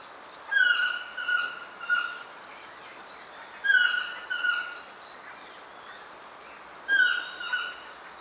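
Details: Black-mandibled toucan (Ramphastos ambiguus) singing at Pierella Ecological Garden, visited January to March: three yelping phrases, each a sharp high note then two lower, falling, harmonic-rich yelps, repeated about every three seconds over steady insect hiss.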